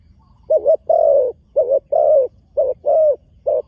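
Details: Spotted dove, a new bird being trained, on the dirt competition ground for the first time, cooing steadily in paired low notes, the phrases repeated about once a second and evenly spaced in a quiet setting.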